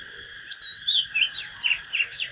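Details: Oriental magpie-robin giving a natural fighting song used to fire up other birds: a quick run of clear whistled notes, some sliding down and others sharply rising, packed closely with a steady hiss behind.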